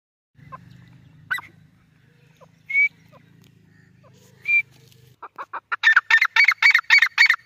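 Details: Female grey francolin calling: scattered high whistled notes at first, then a rapid, loud series of harsh, ringing notes, about four a second, growing stronger toward the end, over a low steady hum.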